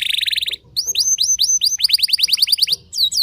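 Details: Canary song meant to stir up rival canaries: a rapid dense trill, a short gap, then a steady series of sharp rising chirps, about five per second, ending in louder sweeping notes.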